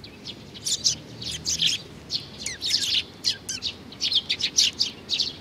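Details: Young sparrow recorded in June 2019, giving dense bursts of high, sharp chirps, some tumbling and down-slurred, clustered in rapid runs with short pauses between; a low steady background hum underneath.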